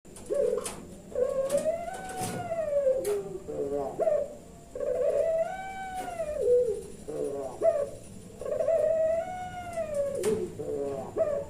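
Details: Puter pelung turtle dove kept at a bird farm in Kebumen, Central Java, Indonesia, giving its forceful 'nembak' style call: long, arched, mellow coos, each rising then falling, repeated several times, with short clipped notes between and faint speech nearby.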